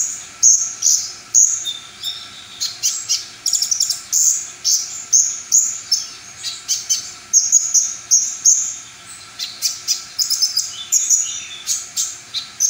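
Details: A brown-throated sunbird delivers a full song repertoire, meant to stir other sunbirds into showing off their own. Rapid high chirps and thin whistles run in dense clusters with brief pauses, with clicky bursts mixed in.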